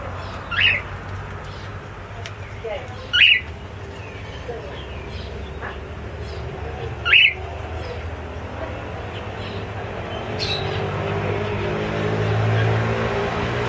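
Cockatiels give loud, rising, whistled calls, several seconds apart, over a low background hum.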